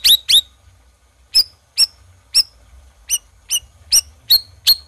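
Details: Black-crested bulbul in lively voice: two quick chips, a pause, then a steady series of sharp, high, ringing notes roughly every half second.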